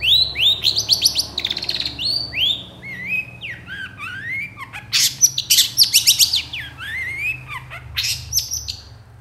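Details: Long-tailed shrike song to draw other shrikes into singing: a long varied medley of rapid chirps, rising and falling whistled slurs and harsh bursts, nearly continuous.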